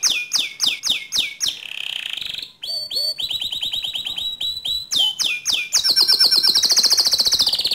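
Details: Canary song used to provoke another canary into singing in rolling, 'nembak' style: repeated sharp descending whistles, bursts of quick chattering notes, a steady high trill, then a loud rapid rising trill to close.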